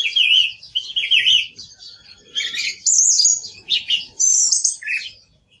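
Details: Song thrush song: fluty phrases repeated twice at the start, followed by higher, sharper squeaky notes and a lower ending note.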